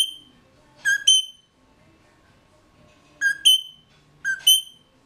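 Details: Mulga parrots in a cage, filmed on 18 November 2014 at 09:28 with a GoPro Hero 3+ placed inside; three paired phrases, each a lower whistle followed by a higher, sustained ringing note, separated by quiet gaps.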